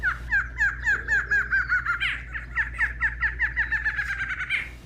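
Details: Barred Antshrike song recorded in a home backyard in Brazil: a fast run of nasal, hooting notes that accelerates and ends in an upward flourish, with a second bird overlapping. Low hum underneath.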